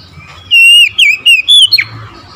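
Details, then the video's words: Bright morning phrase from an Oriental magpie-robin: sustained pure whistles gliding up and down, four notes in a row, finishing with a quick falling rasp. "OCEHAN KACER DI PAGI HARI"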